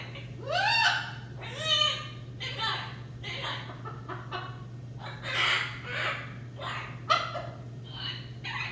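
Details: Two pet macaws calling loudly indoors, a rapid series of harsh, grating squawks roughly every second, the first rising sharply in pitch, others rough and noisy, over a constant low hum.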